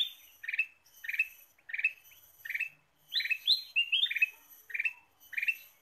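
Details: Kutilang emas, the Ruby-throated bulbul, singing for a trapping lure: chirp clusters roughly twice a second, with a burst of higher rising whistled notes around the middle before the steady burry phrases resume.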